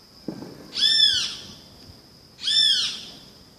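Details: Two harsh great kiskadee calls about one and a half seconds apart, each a buzzy arched note, after a brief soft click, over a steady high-pitched hum.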